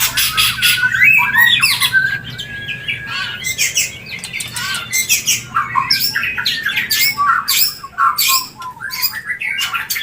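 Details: Shama mating call meant to bring a bird into breeding condition: rapid, loud harsh bursts and rasping squawks, with short whistled fragments woven between, dense and nearly unbroken.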